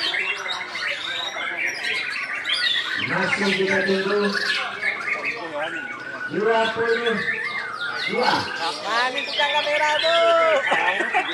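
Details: Caged white-rumped shama (murai batu) singing at an Indonesian bird-singing contest where it was a double winner. It gives rich, varied, rapid phrases of chirps, trills and slurred whistles over music, applause and lower voices.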